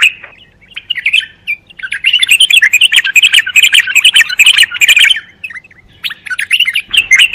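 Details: Bulbul song: brief opening notes, then a long unbroken stream of rapid, buzzy, chattering warbles that stops abruptly and resumes with a short final flourish.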